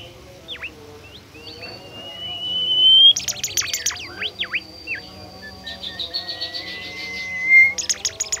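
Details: Bimoli bird, described as shy and nearly extinct, singing in reply to a lure recording: a long, clear, rising whistle, then rapid buzzy chattering bursts and downward-slurred sweeping notes, with a second sustained whistle near the end.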